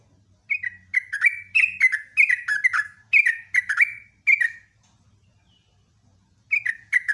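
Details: Yellow-vented bulbul in vigorous morning song: an unbroken four-second chain of bubbly, falling notes delivered nearly two per second, then silence before a new phrase begins.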